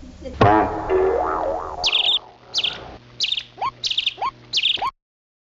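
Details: A red-headed parrot fighting with a rabbit that wants to eat the parrot's food gives five harsh, rasping squawks with a short rising squeak, about two per second, after an opening wobbling boing-like tone.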